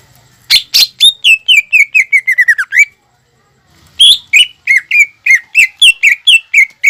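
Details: Energetic greater green leafbird song, played to encourage young birds to start singing: two rapid runs of ringing, downward-sliding whistles, the first speeding up and ending with a rising note, separated by a pause.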